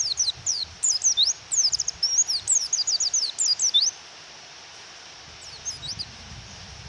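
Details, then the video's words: White-eye female calling to spur a male to sing, in rain: a dense four-second run of sharp, high, falling chirps, about three a second, then near silence with rain hiss and a few faint chirps near the end. "Pleci Suara Memanggil Lawan dan Suara Hujan"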